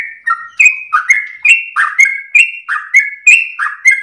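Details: A sooty-headed bulbul sings a sweet, long-breathed song used to train and provoke other birds, giving a steady chain of clicking, whistled notes that step up and down at roughly a note per third of a second.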